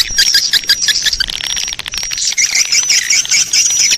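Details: Lure recording of a swiftlet colony in breeding mood: rapid, shrill chirps about three per second blend into a busy twittering chorus, with a thin sustained whistle-like tone running through the first half.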